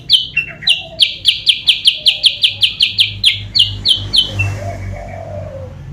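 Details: A sooty-headed bulbul lure sound for pulling rival birds in: an even string of loud, bright, clipped notes repeated quickly for about four seconds, then fading, with faint low murmurs.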